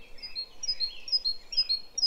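A great tit sings a bright, two-note 'teacher-teacher' phrase, repeated about three times a second with a slightly bouncy, uneven rhythm.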